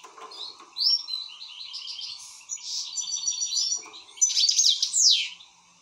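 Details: Excited European goldfinch singing a rambling, high twittering song of tinkling notes, short rising slurs and buzzy trills, broken by brief pauses, over a faint steady low hum.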